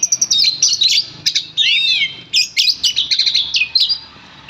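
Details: Oriental magpie-robin in a cage, worked up after hearing its name: fast, loud run of high chirps, squeaky whistles and arching slurred notes, nearly continuous with short gaps.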